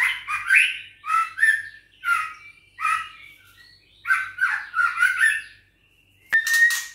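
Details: Young caged White-rumped shama, six weeks old, of Bahorok stock, delivers a run of harsh, scratchy squawking notes in quick rough clusters, ending with a sharp click and a brief bright note, while facing a rival bird.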